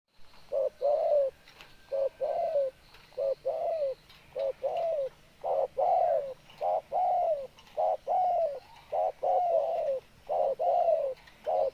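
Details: Spotted dove cooing: low hollow coos delivered in rhythmic grouped phrases, each phrase of a short note followed by a longer rolling coo, repeated steadily with faint background hiss.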